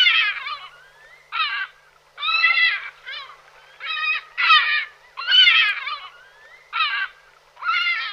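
A Lesser Black-backed Gull gives a series of hoarse, nasal laughing calls, about eight harsh barks over eight seconds with rough harmonic tone.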